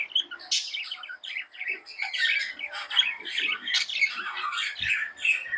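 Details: Tame budgerigars make dense chattering of squeaky chirps and short squawks, a nonstop jumble of high notes.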